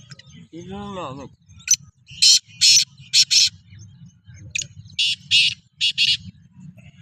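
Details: Black francolin readied for chakri among fellow francolins: a brief human voice, then two phrases of loud, harsh, scraping notes, three or four per phrase, separated by a pause, with a low mechanical hum throughout.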